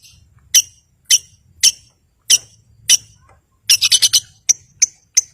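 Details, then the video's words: Long-tailed shrike used to provoke rivals and silent birds into singing, giving sharp, high clipped notes about every half second, then a quick cluster of harsh chips followed by more evenly spaced single notes. "Cendet Gacor Si Pemancing Lawan Sangat Ampuh Mengatasi Burung Yg Membisu"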